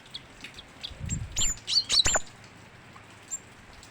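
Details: Cinereous tit in full voice, giving a brief tight cluster of shrill, high whistled notes lasting under a second, with low rumbling knocks under the call and near silence afterward.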